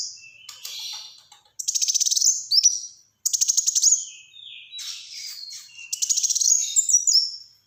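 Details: Black-throated sunbird singing busily: high buzzy trills alternate with quick chirped phrases and brief whistles, repeated in bursts with short gaps.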